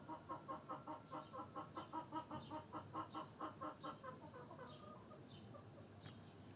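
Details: Hens clucking in a quick regular series of short notes, loud at first then fading into a fainter, looser run of clucks, with soft higher chirps and a steady background hiss throughout; no crow is heard.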